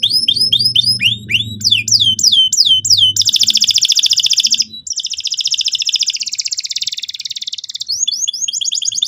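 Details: Canary lure song for provoking young canaries to sing: bouncy upswept notes and down-slurred whistles give way to long, fast rattling trills, with a brief gap and a return of swept notes at the end. A low hum is heard early on.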